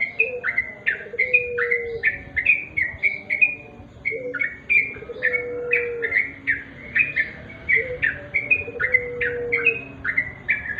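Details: Sooty-headed bulbul singing a fast, unbroken series of clear chirping whistles, each note sliding down then up, while a softer low whistle repeats faintly in the background.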